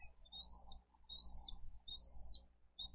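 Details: At a bald eagle nest in Dade County, April 22, 2023, where adults bring fish and feed the young: thin rising whistles, each drawn-out and slightly upslurred, repeated roughly every second against a soft low rumble.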